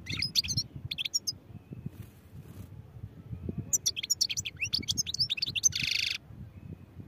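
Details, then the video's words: European goldfinch song of sharp high twitters and tinkling slurs, pausing briefly, then building into a dense twittering run ending with a long buzzy rasp. "goldfinch songs | goldfinch singing"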